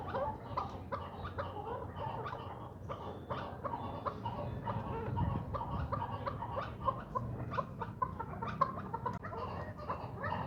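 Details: Ten-month-old first-cross male chukar partridge chick kept for breeding, giving short chuck notes in uneven runs of about two per second over a steady low hum and background noise.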